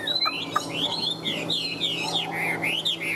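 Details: Caged Chinese hwamei in breeding condition, kept as a songbird in Vietnam: a run of loud, looping whistled notes, each sliding up then down, repeated rapidly in a bright, rolling series, with faint room noise underneath.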